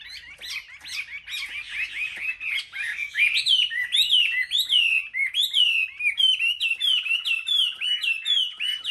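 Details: Caged Chinese hwamei in competitive singing, Vietnam market birds: jumbled whistles give way to a clear series of ringing, downslurred notes repeated about twice a second, each sweeping sharply from high to lower.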